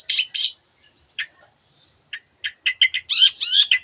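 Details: Long-tailed shrike (cendet) in 'gacor' song carrying many other birds' voices: two rasping bursts, a quiet gap, then short chips building into a rough, warbling phrase.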